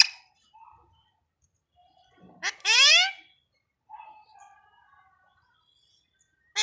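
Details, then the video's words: Alexandrine parakeet talking in Hindi, said to say "Mummy": a loud, harsh, rising harmonic burst near the middle, framed by faint softer calls and a short sharp note at the very end, in a quiet indoor room. "Alexander Parrot talking Mummy || Alexander Parrot talking in Hindi"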